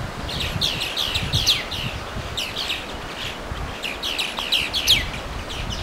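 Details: Songbird singing on May 4 along the Watarase River: bright, rapid phrases of sharp downslurred whistled notes, repeated in bursts every second or so, over low rumbling background noise.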